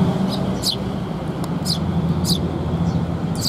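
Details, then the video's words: Eurasian tree sparrow fledglings being fed by their parents on 6 May 2021: sparse sharp high chirps, about six in three seconds, over a steady low rumble of traffic and hum. "巣立ち雛鳥達に餌遣り 20210506 6（親子雀）"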